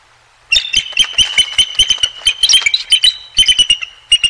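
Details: Bald eagle pair at the Decorah North nest on a sunny February day, 2023: a sudden loud series of high, thin squealing chirps in quick irregular bursts lasting about four seconds.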